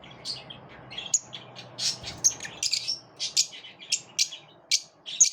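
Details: Lovebirds in a group, pushing each other away, produce dense overlapping shrill chirps and harsh squawks in rapid succession, with a low steady hum underneath.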